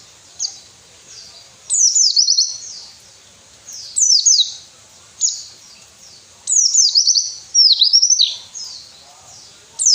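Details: High white-eye song phrases, used to coax lazy caged birds into singing. Five short bursts of sweeping, down-slurred twitters come roughly every one to two seconds, with quiet gaps between them.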